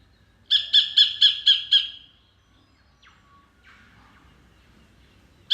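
Sacred kingfisher giving five loud, harsh, even 'kek' notes at about four per second, then a pause before another note begins; faint background rustles between.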